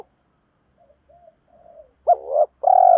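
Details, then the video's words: Spotted dove decoy calling to rivals to pull wild doves in. Soft, faint cooing notes lead into a loud phrase: a hooked coo swelling into a burry note, then a long, level, pulsing coo. "tiếng chim cu gáy thúc đấu và gáy gọi, chim cu mồi gáy gọi bổi nghe rất nhanh về cội, cu đất gáy"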